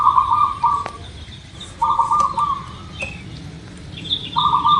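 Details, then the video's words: Local zebra dove song meant to coax birds into quick singing. A vibrating, bubbling coo phrase opens, then two more follow at about two-second gaps. Softer high twittering from another bird and a low outdoor hum run underneath. "Suara Perkutut Lokal"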